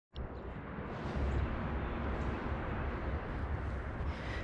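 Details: A steady low rumble of wind or engine-like noise fills the recording, with no distinct animal calls.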